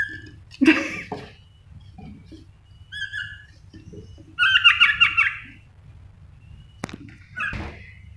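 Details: Baby crimson rosellas, rescued from a roof nest and now in wildlife care, give harsh, rasping, rising squawks in uneven bursts, a longer wavering series near the middle, over a low indoor hum with handling noise.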